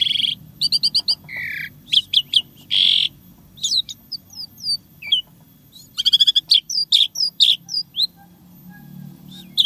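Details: Asian pied starling singing a varied, busy song in its 'isian tembakan' style: sharp clicks, short buzzy bursts, nasal notes and quick whistled slurs in rapid, irregular bursts, with a faint low hum behind.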